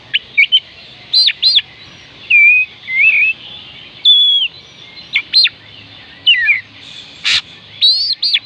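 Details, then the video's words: Oriental magpie-robin song meant to stir reluctant birds into singing: varied whistled phrases, steep up-and-down sweeps, wavering warbles and short chips, delivered in bursts with brief pauses and one harsh click. "oriental magpie robin kicauan Kacer panggilan Kacer malas bunyi"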